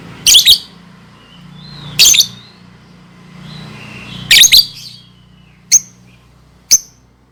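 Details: Lovebird song meant as a model for young birds learning to sing: harsh scratchy chirps spaced about two seconds apart, soft whistled glides, then two short sharp ticks, low hum behind.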